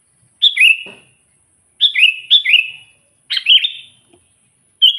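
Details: Sooty-headed bulbul calling to lure wild bulbuls: short two-part phrases, a high note sliding down into a lower trailing chirp, repeated in a loose series of four or five.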